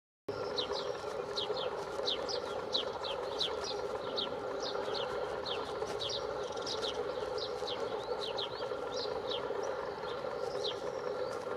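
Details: A whinchat (Saxicola rubetra), a summer visitor, gives its discreet, grating song: short, scratchy high notes in quick bursts every fraction of a second, over a steady low hum of distant traffic or wind; whinchat.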